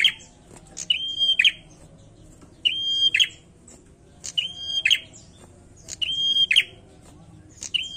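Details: Bar-winged prinia in full song, repeating a clear high whistle that breaks into a buzzy chatter, some phrases paired closely, about every second and a half over soft background hum.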